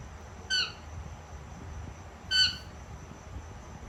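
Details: Indian ringneck parakeet, a female pet, calling during dinner: two short grating squawks nearly two seconds apart, each bright and layered, over a steady low room hum.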